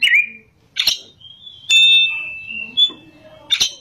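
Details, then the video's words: Oriental magpie-robin singing in ngerol and nembak style: a rising whistled opening, sharp broadband chips, then a long sustained pure whistle that slides gently down, followed by a short high whistle and a final harsh burst. "kacer gacor ngerol,nembak"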